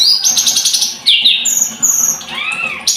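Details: Scarlet-headed flowerpecker singing: high, bright phrases of rapid buzzy trills and sliding whistles, with a lower descending arc near the end and short pauses between bursts.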